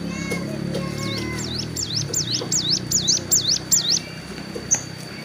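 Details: Sun-basking hill prinia by a road, partway through a wing moult, delivers a quick series of bouncing, swooping high notes repeated about eight times, followed by a single chip. Low steady background hum.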